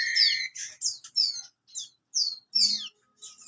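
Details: Bar-winged prinia aged 30 days sings a short scratchy sequence: a level whistle, then high rasping downslurred notes in quick succession with brief gaps.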